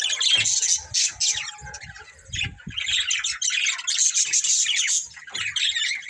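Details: Budgie breeding pair chirping: rapid high twitters and squawks in bursts of about a second, separated by short quieter gaps, with a faint steady hum and soft low knocks.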